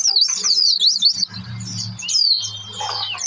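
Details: Oriental white-eye singing as a lure for other birds: quick, high, bubbling twitters, then a softer passage over a low hum before bright chirps return.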